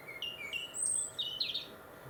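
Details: Winter song of a European robin in Warwickshire countryside, England: short separate whistled notes at shifting pitches, one thin high note held longer, then a brief twittering flourish, with soft background noise.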